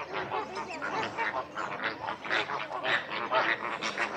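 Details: Flamingo flock calling: dense, overlapping nasal honks with rich harmonics, goose-like and continuous, many birds sounding at once in a steady, noisy chorus without pauses.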